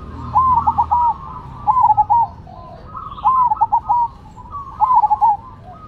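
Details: Perkutut, or zebra dove, of Cemani and Silver strains in competing song: four rolling coo phrases, each a quick stuttering run of soft notes, spaced over a few seconds, with a faint low rumble.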